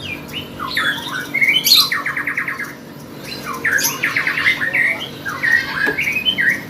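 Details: Lovebird singing at a bird contest: long, rambling bursts of high squeaky chirps and fast rattling trills, pausing briefly between bursts, over a steady background hum and murmur.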